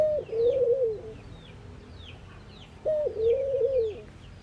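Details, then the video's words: Two phrases from a ring-necked dove at morning in India. A short raised note slips into a long, slightly wavering low coo, with about two seconds of pause between. Faint high chirping of other birds runs throughout. "Ringneckdoves calling sound !! Indian Birds Dove morning activity Doves cooing"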